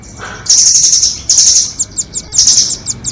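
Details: Recording used to lure nuthatches, 'doraemon' and red-billed types: long, very high, rattling trills, the first almost a second long, broken by short sharp chips near the end.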